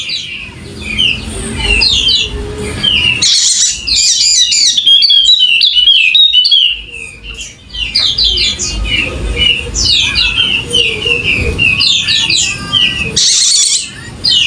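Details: Golden-headed Wallacean white-eye, endemic to Sumbawa, West Nusa Tenggara, singing vigorously: rapid high twittering, warbled phrases with downslurred notes, interrupted by loud hissing bursts near the fourth and thirteenth seconds and a low hum beneath.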